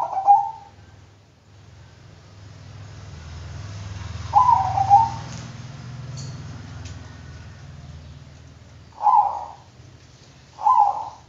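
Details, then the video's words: Bangkok-type zebra dove repeating short cooing phrases of quick, soft, rolling notes, four phrases spaced a few seconds apart, over a low background hum. "Bikin Kutut Bangkok Ikut Manggung DENGAN VIDEO INI,Pasti GACOR NYAUT dan NGAYER"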